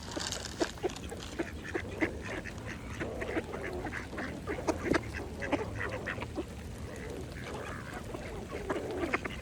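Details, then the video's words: Mallard ducks feeding at a pond: dense rapid clicking and dabbling sounds with scattered short nasal quacks, over a calm water background. "Ducks Feeding at the Pond | Mallards"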